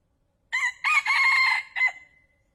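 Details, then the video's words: A male red junglefowl crows loudly, a sound used for trapping wild fowl: a short harsh note, a long level strained middle section, and an abrupt short last note, with a clean quiet background. "เสียงไก่ตัวผู้ใช้ต่อเข้าเร็วมาก | wild fowl sound for trap|suab qaib qus qua zoo heev"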